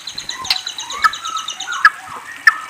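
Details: Soft, fast trill of evenly repeated high notes from a white-rumped shama (murai), with a few louder sharp chips breaking through about every half second.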